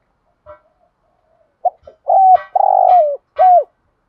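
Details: Spotted dove used as a decoy to stimulate other doves, in the thúc gù and gáy gọi calling styles: a few faint soft notes, then three loud low coos, the long middle one sliding downward at its end.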